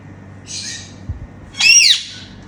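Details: Pet Indian ringneck parakeets, talking parrots, making happy sounds while flying around during playtime indoors: a soft hissing rasp, then one loud, harsh, harmonic screech that rises and falls, over a steady low hum.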